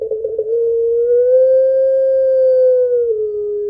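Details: Long crying call of a puter pelung barbary dove calling its mate: a brief stuttered onset, then one smooth sustained note held for nearly three seconds, very steady in pitch.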